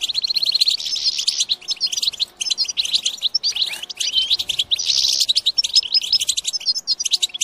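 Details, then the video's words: European goldfinch song used to stimulate goldfinches to sing and mate: dense, bright twittering with rapid chirps and trills, brief buzzy bursts around the first and fifth seconds, nearly continuous with short pauses. "بتبتات خرافية في تحفيز الحسون على التغريد"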